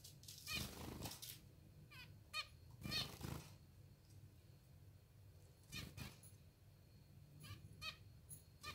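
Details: Hungry pet zebra finches being hand-fed. Short harsh buzzy calls with stacked overtones come in bursts at irregular intervals, mixed with broad rustling and handling noise.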